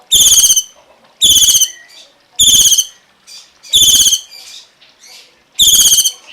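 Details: Cungkok calling with harsh, rasping, high notes rich in overtones, each about half a second long, repeated roughly every second with brief softer notes between.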